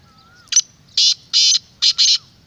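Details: Black francolin call meant to attract wild birds: a brief clipped lead note, then a long harsh buzz, a longer rasping note and two quick grating syllables, with faint background quiet.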